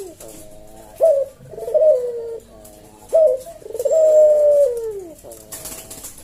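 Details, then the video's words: Puter jawa cage dove singing 'kuk deruk' coos in slow senggang style: short bright intro notes, each followed by a throbbing coo that drops at the close, recorded indoors. "Burung puter jawa kuk deruk manggung merdu suara SLOW SENGGANG"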